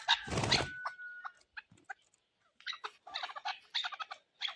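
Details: Chukar partridge kept for hunting: after a loud rough burst and a steady thin tone at the start, a run of sharp, clucking chuck notes follows in irregular bursts, roughly two per second, with short pauses between groups.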